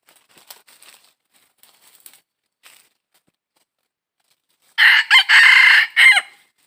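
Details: Wild red junglefowl crowing during junglefowl trapping on 22 December 2021. Faint scattered clicks and rustles come first, then one loud four-part crow near the end: a short first note, a brief second, a long level third and a clipped falling finish.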